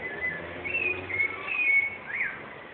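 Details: Wild Rufous-bellied thrush from Osasco, São Paulo state, Brazil, recorded 14 November 2014, delivering a short burst of fluting whistled notes, level and gently wavering, ending in a quick rising-falling slur, over faint low hum.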